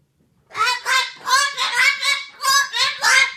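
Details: Enraged parrot screaming: about eight loud, raspy, honking cries in close succession, each harsh and rough-edged, the bursts coming roughly every third of a second after a short quiet start.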